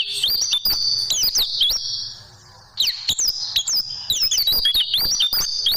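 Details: Caged-bird tutoring recording of oriental white-eye song, with quick high twittering phrases of slurred whistles, a brief lull midway, then the rapid chattering returns.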